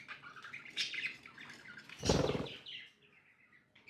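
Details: Pet budgerigars chirp and warble in soft scattered notes, broken midway by a brief loud rushing flutter, then quieter descending chirps.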